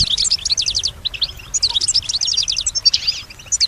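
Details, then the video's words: Goldfinch, a kept female, sings in response to sounds around her: rapid bursts of high, rattling, tinkling trills, separated by brief breaks. "Solutions to keep your goldfinch healthy and singing with strong stimulation"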